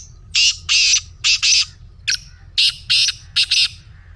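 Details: Black francolin kept as a pet, giving a rapid series of loud, rasping, broadband bursts, roughly eight harsh notes in about four seconds, grouped in pairs with a short sharp note midway.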